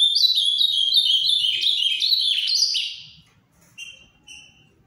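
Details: Captive-bred Ultramarine grosbeak in the Paraná song style, a rapid three-second string of sweet, slurred, falling whistles, followed by a few faint short notes.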